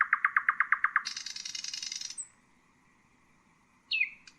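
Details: Common nightingale (Luscinia megarhynchos) singing: a fast run of about a dozen identical clipped notes, then a harsh buzzy rattle lasting a second, a pause, and a brief sharp downslurred note at the end.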